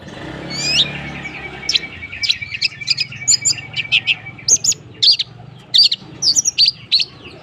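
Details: Long-tailed shrike in full song: a rising whistled note opens, then a varied run of sharp high chirps and clipped notes in quick bursts, with a thin sustained tone running beneath the middle section.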